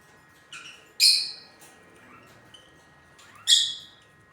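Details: Lutino lovebirds kept as pets calling indoors: three harsh, high squawks, the loudest two at about one and three and a half seconds, each short and noisy, with a few faint rising chirps between them.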